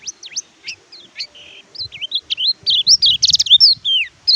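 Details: Oriental white-eye (kecial kuning), song used to coax silent caged birds: loud, close, sweet warbling with looping whistled notes, quick buzzy trills and rising and falling slurs, getting denser toward the end.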